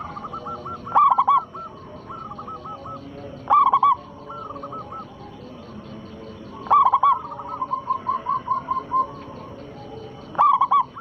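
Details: Perkutut lokal, a local zebra dove, used as a lure recording to get rivals singing: loud cooing phrases about every three seconds, answered by fainter rolling coo series, with constant background hiss.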